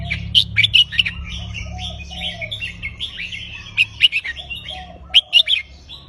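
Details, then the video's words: Red-whiskered bulbul in a cage singing counted-phrase song in a loop. Bright, clipped whistled phrases come in clusters near the start, middle and end, over a steady bed of softer chattering from other birds. "นกกรงหัวจุกนับดอก วนเพราะๆ หน้าฟัง"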